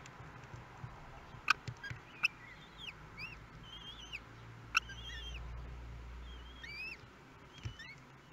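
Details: Thin, high, rising and falling peeps come from common kestrel chicks hatching in a webcam-watched nest at Théding, France, on 24 May 2022, the third and fourth births. The peeps are scattered through the clip among a few sharp clicks and a low hum.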